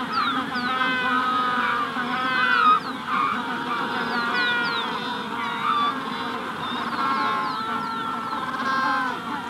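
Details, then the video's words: Dense chorus of Magellanic penguins in a breeding colony during hatching, layered nasal braying calls rising and falling, while a rufous-collared sparrow adds short, high, sliding whistles in the background. "Magellanic Penguin / Calls MD In Colony At Hatching Stage"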